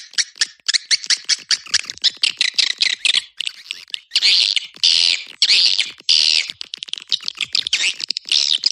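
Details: Swiftlet call played to attract swiftlets: dense, loud bursts of harsh, buzzy twittering and chirring, rapid choppy notes with longer rasping sections in the middle, cut into short blocks with brief silences between.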